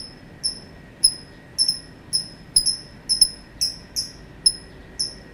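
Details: Lovebird calling at length with a steady string of short, high-pitched, slightly downward chirps, about two per second, some doubled into quick pairs, over a quiet background.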